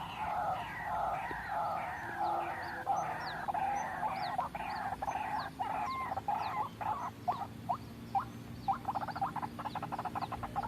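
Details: White-breasted waterhen call for trapping lure: harsh clucking phrases with harmonics, then quicker sharp rising notes, while other birds chirp faintly in the background.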